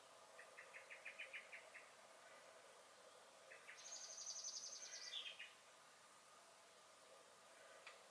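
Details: Blackbird (Turdus merula) in a garden, May 2021, calling in alarm and singing: a quick run of about nine clipped chink notes, a pause, then a high buzzy pulsed trill ending in a descending squeak, faint and somewhat distant.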